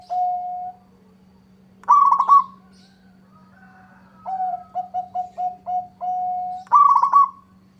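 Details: Zebra dove (local perkutut) in an exchange with a rival: a held coo, a trilled burst, then a stepped series of short coos ending in a long note, and another trill.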